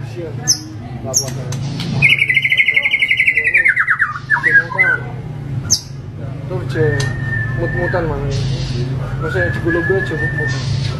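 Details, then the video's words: White-rumped shama delivering a rich, varied song: a rapid rattling trill, then two long steady whistles each lasting about a second, with a low humming background. "MURAI BATU Full Tembakan Variasi Kasar Mewah"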